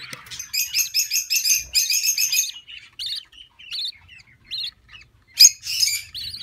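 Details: Nervous female budgerigar with her first brood, protecting her young during a nest inspection: rapid bursts of harsh, buzzy, harmonic squawks, then scattered short rising chirps and a final loud harsh burst.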